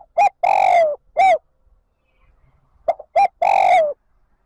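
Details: Spotted dove used as a decoy calls wild birds to come and join the flock, giving two full cooing phrases: quick short notes rising into a long hoarse coo that slides down, then a closing short note.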